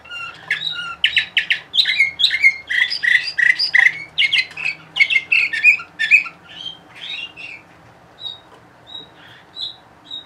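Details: Captive Bulgarian canary from Sofia, the 2020 bird Orpheus, delivering a fast song of rapidly repeated bright syllables, several per second, rolling on steadily before thinning to a few isolated high chips at the end.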